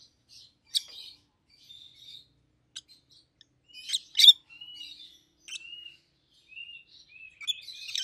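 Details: A yellow and a green rosy-faced lovebird, both red-headed pets, trade sparse sharp clicks and chirps, a loud double burst in the middle, and soft rising whistles throughout.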